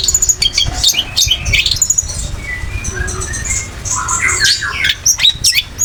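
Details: Long-tailed shrike, known for copying other birds' voices and kept for song contests, giving a varied master song: harsh squawks, short whistles and scratchy high chirps mixed with lower drawn notes, uneven pacing, faint low background rumble.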